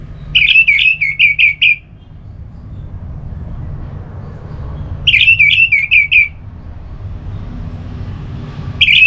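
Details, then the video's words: Orange-headed thrush song played to prompt another bird to sing: short bursts of five or six rapid, rolling whistled notes, separated by pauses of several seconds, with a low steady rumble underneath. "ANIS MERAH LOYO Bakal SONTAK NYAUT GACOR dan EMOSI dengar Kicauan Ngeplong ini"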